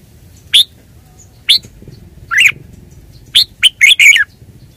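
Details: Red-whiskered bulbul singing short, loud, bright chirped phrases, two isolated notes followed by a quick cluster of three or four warbled notes, with quiet pauses between and a faint low hum beneath.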